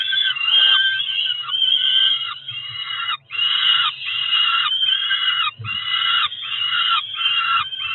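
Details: Nest-cam recording from Cromer, 2 June 2023: two Peregrine falcon chicks around four weeks old screaming for food before, during and after a meal, rough sustained wails in rapid succession with short gaps.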